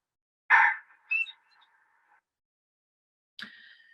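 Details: A tui in New Zealand gives its distinctive alarm call: two harsh, grating bursts two seconds apart; a buzzy rattle follows the first, and a thin ringing tone trails after each.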